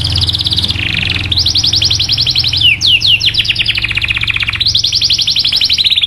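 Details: Canary lure song, 'cuit cuit' style, used to stimulate other canaries to sing. It opens with rapid rattling trills, dips into a lower roll, then a cluster of falling swept notes before more fast high trills.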